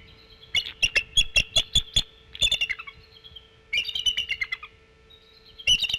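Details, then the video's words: Adult female bald eagle on her nest at Decorah in November, giving brief warning calls and chittering: a series of sharp, high, rapid chipping notes, then shorter bursts of descending chatter, over a faint steady hum. "Mom calling on nest"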